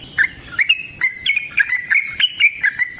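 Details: Sooty-headed bulbul giving a long, fast fighting song: quick run of short chattering, bubbly notes, roughly three or four per second, with sharp clicking ticks in between.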